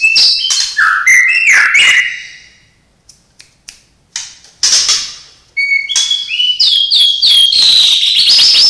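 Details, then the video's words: Song of a white-rumped shama mixing in imitations of cililin, sparrow, lovebird and canary: a quick tumble of varied whistled and chirped notes, a quiet stretch with isolated clicks, then a strong resumption of high ringing whistles and rapid trills. "Murai batu isian cililin greja tarung love bird kenari"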